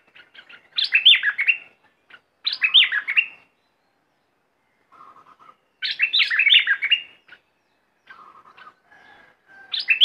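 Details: Caged red-whiskered bulbul used as a decoy, singing in an aggressive or wild mate-calling style. Loud, quick warbling phrases of rich whistled notes repeat every few seconds, separated by quiet low twittering.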